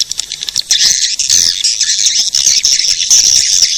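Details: Swiftlet lure calls of the edible-nest swiftlet, meant to draw swiftlets in: a few scattered high clicks, then a continuous shrill chattering twitter that stays loud and even for the rest of the clip.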